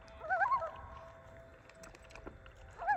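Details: Common loon with a young bird nearby. It gives a short, wavering, tremulous call, quiet and somewhat distant. A similar quavering phrase begins again near the end, after a stretch of faint background noise.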